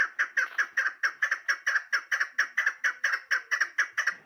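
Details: Female chukar partridge used for hunting gives a steady, unbroken run of loud, harsh chucking notes, roughly two per second. Each note rises sharply and then trails off, with no other sounds heard.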